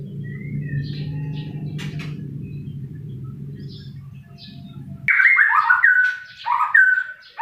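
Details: White-rumped shama singing. A steady low hum and faint thin notes come first, then abrupt loud song: quick whistled phrases with sharp upward and downward slides, broken by short pauses.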